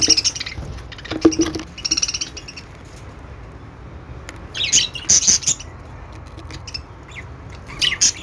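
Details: Several pet budgies making what is described as a happy sound: bursts of shrill, scratchy chirps and squawks at the start, again around five seconds and at the end, separated by a quieter stretch of soft background hiss.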